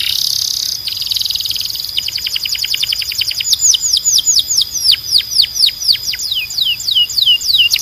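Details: Belgian canary singing a strong, clean training song: a fast buzzy trill, then a rapid rolling series of high notes, then loud downward-swooping whistles repeated about four times a second.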